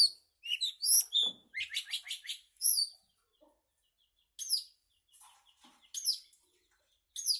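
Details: Long-tailed shrike singing loudly: sharp, high scratchy notes and a quick series of buzzy chattering strokes, then pauses broken by single harsh high calls.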